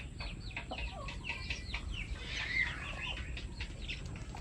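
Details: Pet chickens, a flock with new members, give rapid short chirping calls with bent, sliding notes, several overlapping, over steady background hiss.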